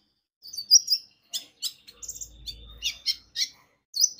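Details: Konin (brown-throated sunbird) lure song: high twittering chirps and short trilled bursts in uneven rhythm, with a brief low hum midway.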